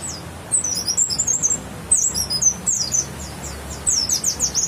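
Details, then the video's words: White-eye called bukstoni, from West Java, grey-white breast with a yellow stripe, singing rapid thin high chirps in short busy phrases, with sharp downslurred notes and pauses between bursts. "Bukstoni lovers"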